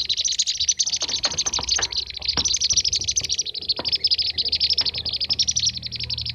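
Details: Blue-tailed bee-eater calls used as a lure for catching birds: a steady stream of sharp, high, rolling chirps repeated quickly without pause, bright and chattering, with a few soft clicks and a low hum in the background.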